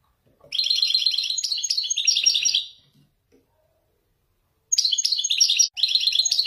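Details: A male Wediani European goldfinch sings from a cage in Morocco using Marrakchi descending phrases: a long, fast, chattering trill of bright twittering notes, then a pause, and two more rapid twittering runs.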